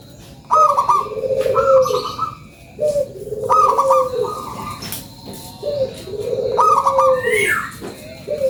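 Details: Local zebra dove lure song, vigorous and repeated: three phrases each open with a short clipped note and a rippling high trill, then fall into a long, lower sustained coo, one phrase about every three seconds. Faint rustling and clicks sound between phrases.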